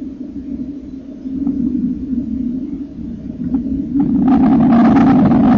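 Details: Common kingfisher chicks in the nest on 30 April 2014, as their eyes open and first feather sheaths drop, being fed: a steady low buzzing churr that swells, then a burst of louder rasping, crackling noise near the end.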